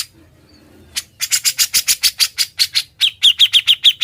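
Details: Grey-cheeked bulbul in lively, nonstop ngebren style, recorded as a master song for training other birds: after a quiet second, harsh broadband chattering notes repeat about five per second, ending in clearer, sharper pitched notes at the same pace.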